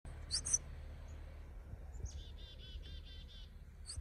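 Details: A chickadee in its natural habitat gives a couple of thin, high opening notes, then a quick run of about six buzzy, evenly spaced dee notes over a low rumble of background noise.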